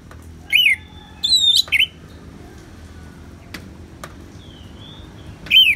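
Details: Orange-headed thrush, ngeplong song with natural rain: short loud phrases of sharp arched notes, spaced by several seconds, with sharp clicks and a faint thin whistle in the gaps.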